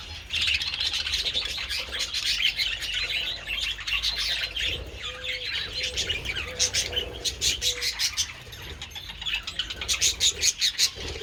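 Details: Several budgies enjoying treats in the sun on 27 February produce a loud, continuous chirping warble with sharp ticking notes, and a low coo repeats a few times midway.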